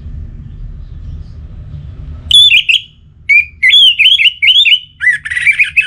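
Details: Orange-headed thrush song from North Bali, played to spur the bird to sing morning, noon and night; after a low hum, loud whistled phrases follow in quick bursts, with slurred, warbling notes repeated several times.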